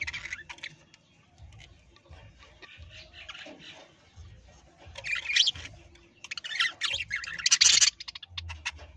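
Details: Parrots kept in a home aviary, calling in scattered bursts of sharp, high chirps and squawks, some louder clusters near the end, with low thumping handling noise underneath.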